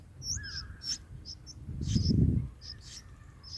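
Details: Nestling bulbuls being fed in the nest on day four: scattered high, thin chirps and a lower sliding whistle, interrupted midway by a loud low rustling thump from movement at the nest.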